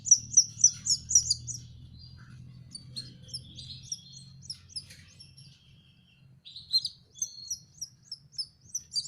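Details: Young canary learning to sing: a fast, high chirpy warble of repeated twittering notes, several bright trills in quick series, then a pause of scattered soft notes before the trilling resumes, over a low steady hum.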